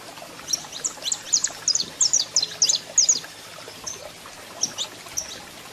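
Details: Male saffron finch singing with a female calling; a short run of high chipped notes in the middle, quiet before and after apart from scattered single notes.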